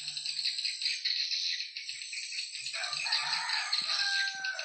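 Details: Swiftlet call recording: a dense, unbroken chorus of high, dry twittering and chirping from many overlapping swiftlets, with faint low thumps underneath.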